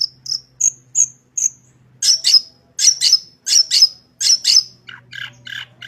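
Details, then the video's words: Long-tailed shrike in full song packed with fill-in phrases, meant as a tutor recording to make shrikes sing: clear high whistled notes, then loud harsh buzzy bursts about twice a second, ending in lower scratchy notes; faint low hum behind. "Burung Cendet Gacor full isian suara paling jernih cocok buat masteran cendet agar cepat bunyi gacor"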